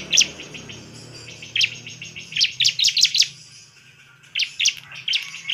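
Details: Energetic bar-winged prinia song meant to make other ciblek more agitated: groups of quick, piercing chirps with a quiet pause midway, faint low hum beneath.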